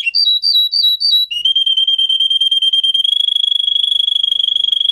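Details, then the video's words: Belgian canary, presented as a Russian singer canary training song: four quick, bright two-note phrases, then a long, steady high trill that speeds up toward the end; no other sounds. "Russian singer canary singing"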